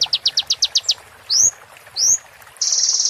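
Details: Training song of an oriental white-eye for moult, with roll tembak fill-ins. A quick run of high pulsed notes gives way to two loud upswept whistles, then a sustained, dense, buzzy high trill begins.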